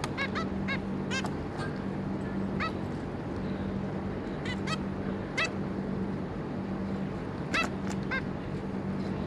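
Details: Zebra finch pair and three juveniles, recorded 26 May 2022, producing scattered short nasal calls, a busy cluster at the start and another near the end, with softer calls between, above a constant hum.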